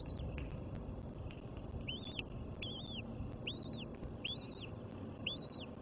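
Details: Eagle calling at its nest at Cardinal Land on 21 March 2024; high squeaky arched chirps with faint overtones, a handful in quick succession, against constant low background rumble and clicks.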